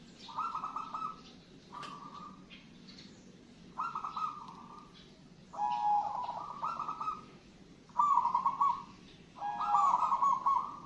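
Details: Zebra dove, a wild local bird singing actively, gives bouts of purring cooed trills about a second long, repeated every one to two seconds and growing louder toward the end, over a low hum.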